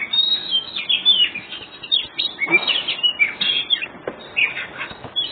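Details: Kacer dada putih in ngobra-style song used as a lure for other birds; loud varied whistles and rasping chatter in quick phrases, with a harsher scratchy note near the middle.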